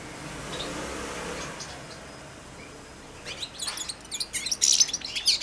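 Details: Four-month-old European goldfinch kept in a cage, babbling its first song near a feeding hand; soft background hiss, then from midway a quickening series of bright high chirps and twitters.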